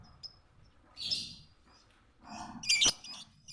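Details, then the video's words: Lovebird used as a training model for other birds, giving two harsh, buzzy high squeaks about two seconds apart, the second louder and more rasping, over faint low background noise. "burung Lovebird//masteran awal //pasti ngikutin"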